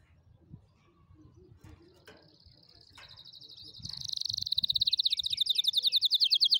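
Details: Tutoring song of a canary for young birds learning to sing: faint thin notes and a soft steady tone at first, then a loud, rapid, buzzy trill that swells and continues to the end.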